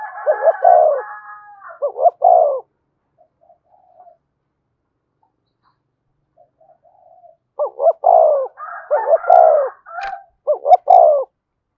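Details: Decoy spotted dove cooing to rouse a newly caught caged bird. Repeated low, hollow coo phrases come in two bursts separated by several quiet seconds, with overlapping phrases and a brief click near the end.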